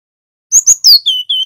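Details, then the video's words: Male cinereous tit (local Javanese wingko) giving a short phrase: two high chirps, a falling slurred whistle, then two lower level whistled notes. "GLATIK BATU JANTAN GACOR | Suara masteran & pancingan ampuh bikin GELATIK wingko bahan rajin NGEROL"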